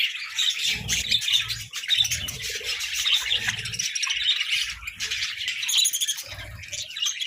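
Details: Several budgerigars chattering while playfully competing for treats: continuous overlapping chirps, twitters and occasional squawks, with repeated low bumps and scuffling noises between the calls.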